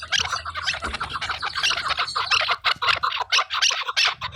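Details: Chukar partridges in Khyber Pakhtunkhwa (KPK) give harsh, rapid chattering calls in quick bursts, with several birds overlapping into a continuous raspy chorus.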